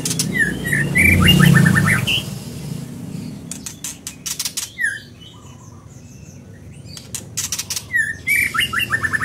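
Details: Two bursts of quick, bright, falling whistles from a scarlet minivet, separated by a stretch of dry clicks, over a low rumbling background.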